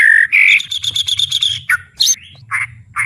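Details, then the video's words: Caged White-rumped shama singing hard: a clear whistle, then a fast buzzy rattling series, followed by sharp scratchy chips and short slurred notes. "ISIAN MURAI BATU GANAS❗TEMBAKAN MURAI BATU BUKA PARUH VOLUME PENUH POWER💥 SHAMA BIRD"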